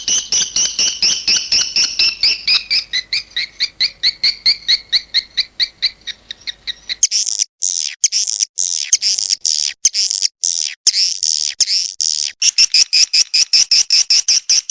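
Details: Swiftlet calls: a steady run of short, sharp chirps in quick succession, then a denser burst of rapid overlapping twittering and clicking, with the even chirping returning at the end.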